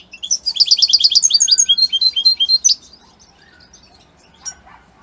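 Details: European goldfinch associated with Italy singing a brisk series of tinkling, repeated twitters for nearly three seconds, followed by near silence and one short distant chirp.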